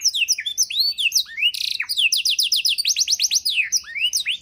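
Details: Canary 'isian' tutor song for training songbirds: fast varied whistled phrases, rising and falling sweeps and rapid upslurred trills, continuous bright high-pitched song with a brief buzzy burst.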